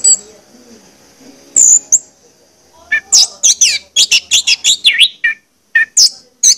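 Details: Orange-headed thrush song meant to be played to get birds singing; faint low murmur at first, a ringing high whistle, then a dense run of sharp, sweeping high notes and chips, ending in scattered calls.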